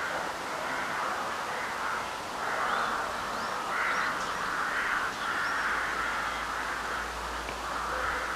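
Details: Many crows heard at night in spring during a full moon, March 2021. Harsh cawing overlaps in a continuous rough chorus, with a few thin higher notes on top and a low rumble near the end.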